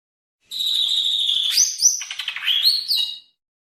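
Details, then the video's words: Greater green leafbird of the Banyuwangi type from East Java, song variation 1: a long steady high whistle, then a run of quick varied chirps and slurred whistled notes, sweet and bright, with no other sounds. "Suara Burung Cucak Ijo Banyuwangi variasi 1"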